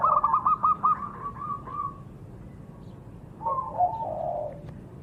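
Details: A zebra dove opens with a fast run of trilled cooing notes that fade out, then a softer, lower burbling phrase follows after a pause, over low background noise.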